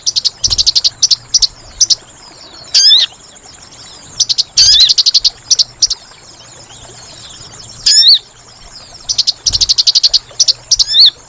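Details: Trapping lure call of the sooty-headed bulbul, with fast pulsed chatter trains broken by sharp swooping whistled notes, repeated in bursts with short silent gaps between them.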